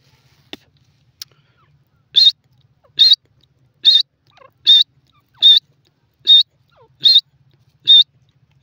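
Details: Grey francolin (desi teetar) calling: loud, shrill, buzzy notes repeated steadily about every 0.8 seconds, eight in a row after a few faint clicks, over an otherwise quiet background.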